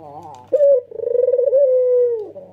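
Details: One long coo from a red-eyed white male Barbary dove: a crisp opening note followed by a sustained, pulsing tone that holds level then dips, used to stir other doves into calling.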